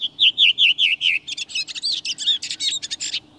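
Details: Redwing song in Sweden in spring (late March–April): five quick, clear, falling whistled notes, then a burst of squeaky, scratchy twittering lasting about two seconds; its two-part song varies by regional dialect.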